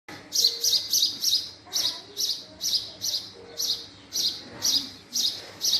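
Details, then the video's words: Male house sparrow chirping steadily, bright high chirps arriving in quick clusters of two to four, roughly two per second, with short gaps between bursts and a faint low background hum. "Male Sparrow Sound | Male Sparrow Call | Sparrow Sound Effect | Call Of Male House Sparrow"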